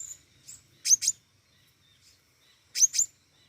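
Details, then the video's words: An actively singing flowerpecker gives very high, sharp chips in quick pairs, two double-chip bursts about two seconds apart with softer ticks between, against near silence. "burung pentis raja gacor"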